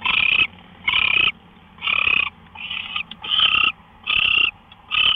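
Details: At 5:27 AM on March 24, 2013, an owl on a live nest camera gives harsh, grating hiss-screeches of about half a second, repeated steadily about once a second.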